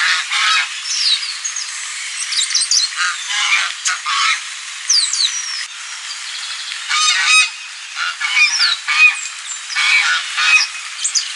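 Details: Goose giving raspy, honking cries in clustered bursts separated by short pauses, accompanied by frequent high, swooping whistles from other birds.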